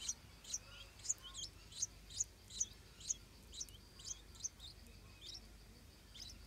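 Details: Stripe-throated bulbul parents guarding a nest of hungry hatchlings; sharp, high, short chirps repeat roughly twice a second, then trail off into quieter, fainter notes, with light hiss beneath.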